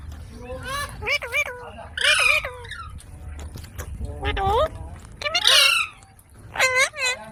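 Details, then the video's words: Ringneck parrot kept as a pet making scratchy chattering notes and upswept squawks in irregular groups, some sounding almost like speech, over a low rumbling room background. "Ringneck Parrot Sounds"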